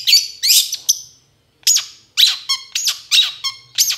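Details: Long-tailed shrike lure sound for stubborn birds: harsh, buzzy squawks and nasal notes in uneven bursts, with a brief silent gap in the middle.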